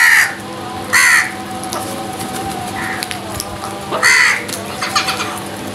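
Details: Harsh crow caws while the birds fight for food: a few loud, rasping calls at irregular intervals, a fainter one in between, with a constant low hum underneath.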